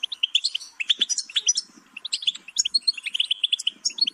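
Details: Bright, fast goldfinch twittering, runs of high chirps and sliding whistled notes with a short dip in the middle before the jangling phrase picks up again.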